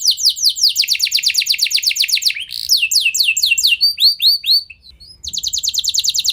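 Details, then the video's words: Canary song used to stimulate other canaries into long rolls. A steady fast trill shifts to slower sweeping and chirping notes, fades into a short gap, and ends with renewed rapid rolling. "Ampuh Buat Merangsang Emosi Burung Kenari Lain Biar Gacor Ikut Ngeroll Panjang"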